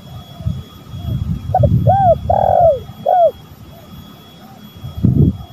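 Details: Lure recording of spotted doves, male and female: two short notes, a rounded coo, a long hoarse coo fading downward, then a closing arched coo, with steady low hum and a thump near the end.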